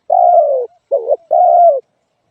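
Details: Close spotted dove call: a long, level-then-falling coo, a short wobbling note, and another long descending coo, all clean and loud.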